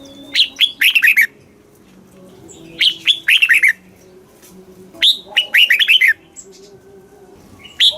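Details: Red-whiskered bulbul song in a southern master style, played to excite caged birds and teach young birds; short bright whistled phrases of quick falling and rising notes, repeated about every two and a half seconds, with faint background noise.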